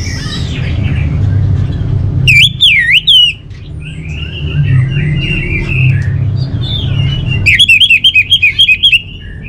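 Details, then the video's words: Orange-headed thrush song: a loud looping whistled phrase, then softer jumbled warbling, then a rapid rattling trill of many short notes; constant low rumbling hum behind. "Suara ANIS MERAH"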